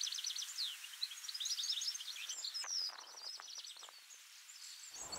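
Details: A European goldfinch in a garden with alder trees sings a fast, liquid twitter of high tinkling and buzzy notes, run together without pause, with a few soft clicks in the middle.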